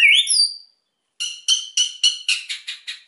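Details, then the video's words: White-rumped shama, sung to provoke quiet birds: a loud high rising whistle, a brief pause, then eight fast harsh rattling chack notes, accelerating slightly. "MURAI GACOR EMOSI BIKIN MEMANCING BURUNG YANG PENDIAM"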